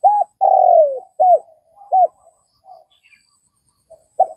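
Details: Vietnamese spotted dove voicing an arched hoot, a long downward-gliding coo, then spaced short hoots, ending after a pause with one more clipped note.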